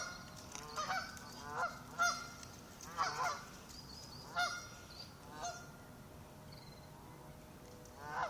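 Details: Ducks swimming out from a lake shore make lots of warning calls at an arriving visitor: a run of seven or eight harsh, nasal, harmonic honks, irregularly spaced about one per second, over soft background hiss.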